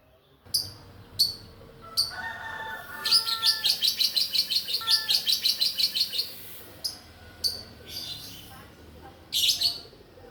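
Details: Young lovebird, 2.5 months old, calling diligently and seeking a rival: scattered sharp chirps, then a long rapid rhythmic chattering series of harsh notes lasting about three seconds, followed by more separated chirps.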